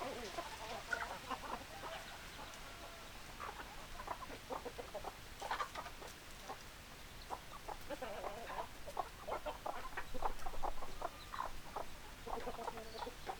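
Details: A group of chickens clucking, irregular short clucks and a few drawn-out squawks from several hens, dense overlapping chatter with low background rumble.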